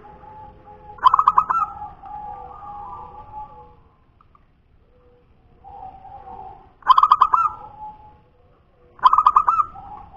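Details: Perkutut lokal, a zebra dove of local wild stock called punden, repeating its cooing phrase three times roughly every three seconds: rapid trilled opening notes then a long level coo, quiet pauses between.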